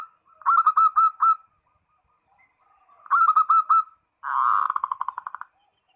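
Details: A zebra dove, locally perkutut, calling a rival: two bursts of five or six crisp ringing coos, then a buzzy rolling trill that slows and fades.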